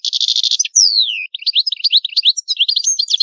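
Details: European goldfinch of the old Palermo Sicilian song type, recorded without background noise: a fast buzzing rattle, a clear downward-gliding whistle, then a quick string of bright upward-flicking chirps and twitters.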